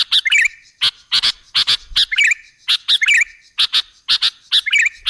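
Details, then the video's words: Lure song of a sooty-headed bulbul, meant to draw other birds in: short, twisting whistles alternate with loud, raspy paired chirps in a steady, busy rhythm across the whole stretch. "Suara burung KUTILANG jebakan pemikat"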